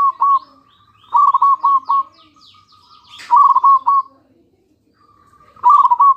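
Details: Local zebra dove singing a lure song to get other doves to respond: clusters of quick, stuttering low coos every couple of seconds, linked by gentle purring notes, with faint high chirps behind.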